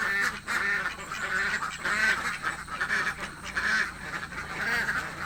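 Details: Hungry village ducks quacking; several clearer, rounded nasal quacks stand out against a background of many overlapping calls.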